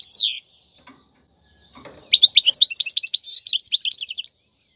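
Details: Wild European goldfinch, khalwi-style song meant to tutor young birds; after a lone high falling note and a quiet gap, a fast run of twittering, buzzy high notes lasts about two seconds.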